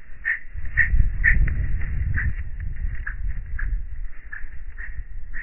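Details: {'caption': 'Osprey defending the nest, giving quick repeated chirping notes about three per second, steady and insistent, partly masked by loud low-pitched wind noise.'}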